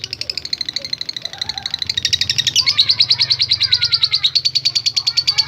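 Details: Lovebird in long 'ngekek' chatter to provoke other lovebirds: fast regular high ticks that quicken and intensify into a loud, buzzing rattle, with a low hum underneath.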